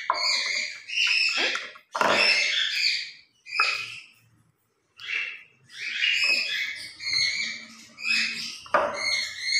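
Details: A pair of pet grey parrots chatter in a noisy morning routine at play, mimicking human words; a run of raspy, voice-like phrases with a brief silence near the middle before the chatter resumes.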